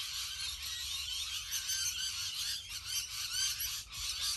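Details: Rainbow lorikeets gathered in a huge Australian flock, many birds screeching at once in a continuous harsh, high chatter with rapid squeaky notes layered throughout.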